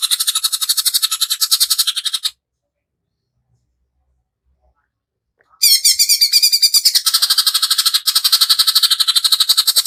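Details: Rough 'tembakan' bursts of a greater green leafbird, meant to rouse other birds to sing and rage: a fast buzzy rattle, a gap of about three seconds, then the harsh pulsed rattling resumes strongly.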